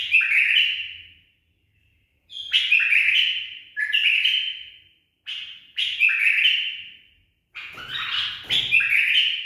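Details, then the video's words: Bulbul kept as a tame, properly trained bird sings loud mellow whistled phrases that drop in pitch and trail off, separated by short pauses, ending in a fuller, rougher flourish. "بلبل أليف تخريج صحيح"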